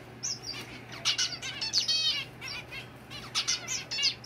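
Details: Several pet zebra finches at home chatter with quick, high, nasal beeps and buzzy toy-trumpet notes, overlapping in a busy stream over a faint low hum.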